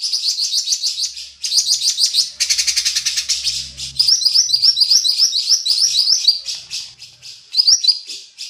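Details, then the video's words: Local lesser green leafbird singing energetically: fast, high, sharp chattering notes in rapid runs, broken by a brief buzzy rattling burst, then more bright repeated phrases. "cucak rante lokal gacor"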